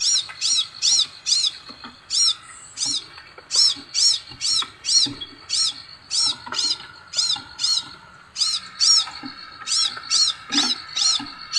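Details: Long run of high, piercing Scarlet sunbird notes in fast groups of two to four, broken by short pauses, over a quiet steady hum.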